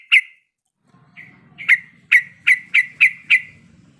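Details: Female sooty-headed bulbul in breeding condition calling a male: one sharp note, a pause, then a quickening series of six bright, falling calls over a soft low hum.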